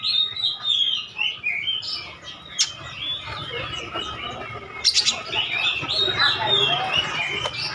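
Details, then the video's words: Lure song of an oriental magpie-robin, meant to make other birds answer: rapid, varied run of sweet whistles, trills and chirps at high pitch, about four notes a second, with a few sharp clicks and light background noise. "KACER GACOR PANCINGAN HANDAL BIKIN LANGSUNG NYAUT"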